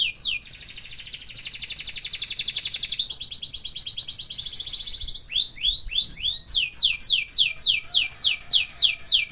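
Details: Canary song: long fast trills of very high buzzy notes rolling on for seconds, then a switch to rapid repeated downward-sweeping whistles, about three or four a second, in a continuous energetic stream.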